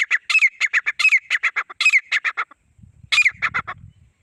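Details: A male and female Grey francolin pair give loud, harsh, rapidly repeated notes in two bursts, with short rising squeals among them, and a low rumble near the end.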